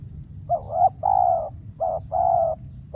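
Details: Spotted dove acting as a decoy bird during trapping, wild doves now rare and none arriving. Hollow, low-pitched cooing in short-long note pairs, each phrase about half a second, repeated closely over faint low background noise.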